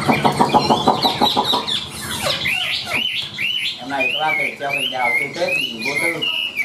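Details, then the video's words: Caged Chinese hwamei singing: a person's voice opens briefly, then the bird takes over with varied slurred whistles and chattering phrases. "Chim Họa Mi Hót Đỉnh Cao, Thuần Sách Tay Hót"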